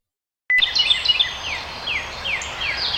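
A Carolina Wren sings bright, high, rapidly repeated phrases. Behind it, a Northern Cardinal gives quick down-slurred whistles about twice a second.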